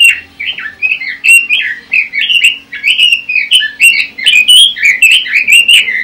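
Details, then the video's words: Pekin robin singing in ngoceh style: a continuous, fast warble of rich whistled notes rising and falling, with short rapid phrases run together for six seconds over a faint low hum. "Suara Kicau Burung ROBIN - Ngoceh"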